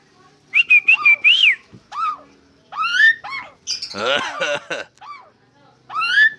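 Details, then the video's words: Asian pied starling, said to be able to imitate a cough. Clear whistled notes around two seconds in, then buzzy rising and falling phrases. A harsh, broad, rasping burst near the end could be the cough imitation. Short pauses separate the phrases. "Jalak suren bisa batuk"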